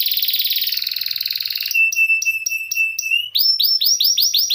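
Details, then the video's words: Canary song for teaching other songbirds: a dense rolling trill gives way to sharp separated chip notes, then loud upswept whistled notes repeated about three times a second. "Kenari Gacor Ngeroll || Cocok Untuk Masteran Burung"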